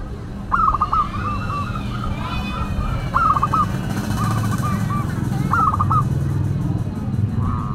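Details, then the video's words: Local zebra dove with a classic singing style: trilled cooing phrases repeated every two to three seconds, heard over heavy low-pitched background rumble. "Perkutut Lokal Gacor Suara KLASIK Dan UNIK"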